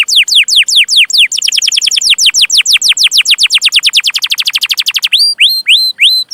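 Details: Gacor canary in full song, meant as tutor material for young canaries: a long, accelerating series of sharply falling whistles becoming a dense rolling trill, ending in a few rising hooked notes.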